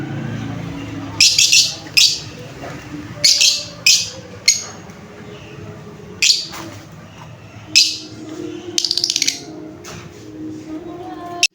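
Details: Lovebird chirping: sharp, high, scratchy chirps that come singly or in short clusters at irregular gaps of one to two seconds, with a low constant hum and faint room noise underneath.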